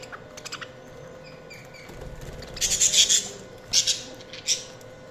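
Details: Budgerigars: several soft ticking chirps early on, then loud harsh buzzy squawks in a cluster near the middle, followed by two more sharp screechy bursts toward the end.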